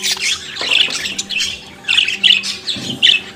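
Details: Budgerigar giving harsh squawky chirps and chatter, several loud raspy notes in a short burst.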